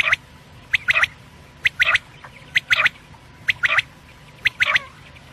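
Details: Quail (batair) giving its crisp three-note call, a short high whistle followed by a quick pair, repeated roughly every second in a steady rhythm over faint background hum.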